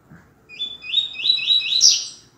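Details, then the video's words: Double-collared seedeater tutor song in the tui tui zel zel canto grosso style for teaching males: about five quick, rising high notes repeated in a rolling series, ending in a sharp shrill flourish. "COLEIRO tui tui ZEL ZEL canto GROSSO"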